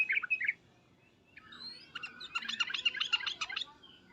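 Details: Sooty-headed bulbul giving agitated calls, loud 'cuk-cuk' and 'uplik-uplik' notes used to make other bulbuls answer; a few clear chirps, a pause, then a dense burst of quick bubbly chattering notes.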